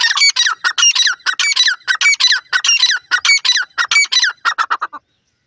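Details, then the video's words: Partridge voice heard where a female pheasant perched on a cage is surprised; harsh, raspy, scratchy notes, often paired, delivered in a fast steady series of about twenty bursts over five seconds, then stopping abruptly, with a quiet background. "partridge voice"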